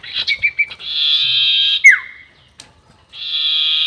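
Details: Sirtu bird lure call, long 'nyiul' form: a few short chips, a long rasping buzz ending in a falling whistle, a pause, then the buzz begins again.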